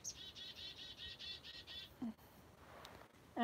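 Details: A chickadee taking seed placed on a woman's chest gives a quick run of about eight buzzy, evenly spaced dee notes, followed by a brief burst of the woman's voice.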